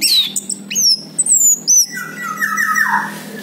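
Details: Orange-headed thrush song used as a lure to prompt a bird that has stopped singing: high slurred whistles descending from about 8k, then a lower warbled phrase with a faint steady hum beneath.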